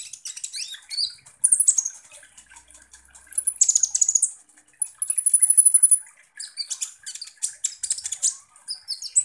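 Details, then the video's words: Sunbird lure song meant to rile konin birds: bursts of fast, evenly ticking high chips alternating with a long, thin, steady whistle and scratchy twitters. "KONIN Langsung EMOSI dan NGOBRA dengan PANCINGAN kolibri ninja GACOR ini"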